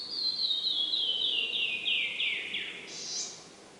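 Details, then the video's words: In the shaded Box Canyon of Maple Canyon, central Utah, on a hot day, a Canyon Wren sings its sweet trill: about ten clear whistled notes sliding steadily downward, ending in a brief buzzy note, with soft background hiss. "Listen for the sound of the canyon wren while you're in here. The sweet trill."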